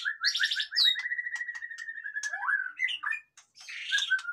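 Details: Captive white-rumped shama used to set lazy birds singing: fast steady series of repeated whistled notes running over two seconds, sliding into a downslurred phrase, then buzzy chatter and a final whistle.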